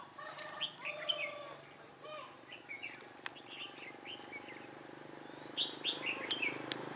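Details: Wild red-whiskered bulbuls answering a caged decoy during trapping on 21 October 2017; several clear warbling, chirping phrases, some overlapping, with steady outdoor background hiss.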